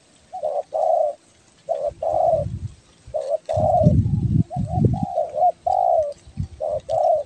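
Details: Spotted dove of the tekukur belah dada type from Kepri, calling for luring: repeated double-note-then-long-coo phrases, overlapped midway by heavy low rumbling and knocking noises.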